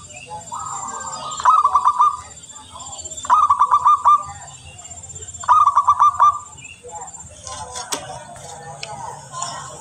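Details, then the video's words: Local zebra dove singing vigorously, recording meant as a lure: three clear phrases of rapid stuttering coos, each about a second long and spaced roughly two seconds apart, with faint high insect-like whine and a soft low hum behind. "Perkutut lokal gacor sangat jernih suara terbaik buat pancingan"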